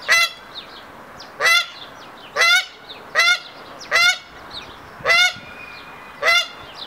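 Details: Courting hybrid Canada geese performing the triumph ceremony, a male's display before a female while pairs form: seven loud, harsh, ringing honks spaced roughly a second apart, with faint background chirps between them.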